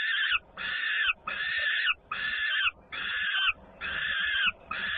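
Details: Young peregrine falcon sister returning noisily at feeding, Włocławek, Poland, 3 June 2010: loud scratchy screams repeated about six times in five seconds, with faint low thumps between them.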